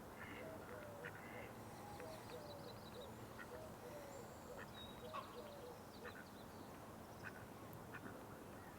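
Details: Female mallard with bright orange feet, joined by a male, in a busy marsh on a May 4 morning, gives soft, raspy quacks scattered over a few seconds amid other birds calling and a person speaking.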